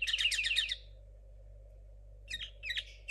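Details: Linnet hybrid from 2022, a young caged bird still learning and its song still messy, gives a fast high chattering burst, falls silent for over a second, then adds short clipped twitters against a constant low electrical hum.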